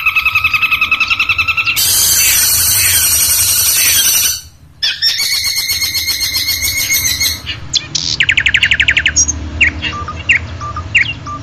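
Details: Long-tailed shrike song from a tutoring recording for training shrikes to sing often: harsh, loud, buzzy rasping phrases, a short pause, more grating buzzes, then rapid ticking trills and scattered sharp notes over a low background hum.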